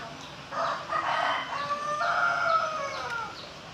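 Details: Pelung chicken crow with a coarse, broken beginning and a long wavering drawn-out note that slowly falls and fades, somewhat softer and with faint background noise.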